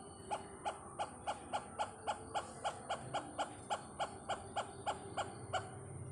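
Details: Great hornbill (malamuzhakki vezhambal) visiting Pathanamthitta, giving a steady run of about twenty short, throaty barks spaced roughly three per second, evenly repeated over quiet background hiss.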